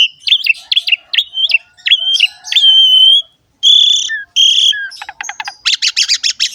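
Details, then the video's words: Young-bird training song of the Asian pied starling: jerky whistled notes and a long steady whistle, a brief gap, two flat whistles, then a fast rattling series and dense harsh chatter. "PANCINGAN BURUNG JALAK SUREN SUPER GACOR FULL ISIAN MEWAH"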